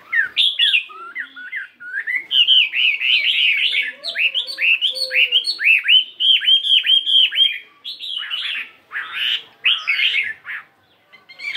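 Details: Chinese hwamei, fighting type, 72 grams, caged, singing in the morning to practise and shift its voice: a dense stream of fast varied whistled notes, then harsher scratchy bursts near the end.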